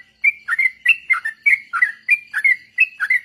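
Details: Lure song of a sooty-headed bulbul for training other birds: quick, warbling phrases that swoop down and back up, delivered in an even run of about eight bursts after a brief silence at the start.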